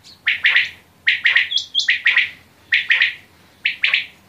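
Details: Quail repeating a rasping double- or triple-note phrase roughly every second, each note sliding downward, with a short whistled tone between the phrases, recorded close with little background.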